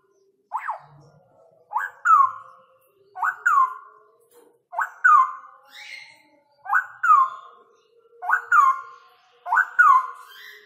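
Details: Loud male straw-headed bulbul in ropel style, delivering a sharply rising whistle that drops into a bubbling slur, repeated roughly every one and a half seconds across eight phrases, with a faint hum underneath.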